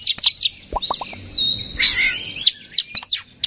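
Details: Oriental magpie-robin sound played as a lure to provoke singing: high sweet chirps and slurred whistles, a brief scratchy trill in the middle, then more bright clipped notes.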